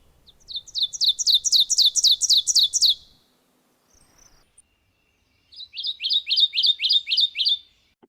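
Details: Kentucky warbler (Geothlypis formosa), song.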